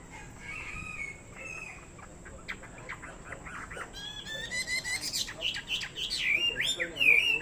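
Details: Chinese hwamei kept as a fighting bird, singing a varied run of whistled and chattering phrases that starts thin and scattered, then grows louder and denser with rapid repeated notes and slurred high whistles toward the end.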